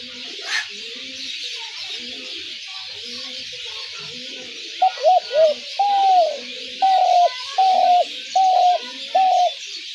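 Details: Spotted dove sound played to draw doves into traps: faint mixed bird notes at first, then a clear series of quick coos followed by four level, evenly spaced longer coos, with hiss throughout.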